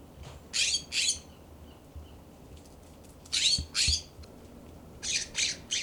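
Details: Immature California scrub jays calling in a yard in Pacific Grove, California: harsh, raspy squawks given in pairs and a final triple burst, each note short and broadband, separated by pauses of about two seconds.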